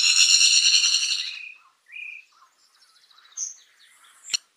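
A harsh, buzzy, insect-like trill lasting over a second, then a few short clipped whistles and thin chirps, ending in a sharp click.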